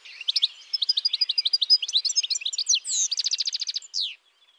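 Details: European goldfinch singing a bright, rapid twittering song of tinkling notes, then a quick buzzy trill and a final slurred note, with a quiet background.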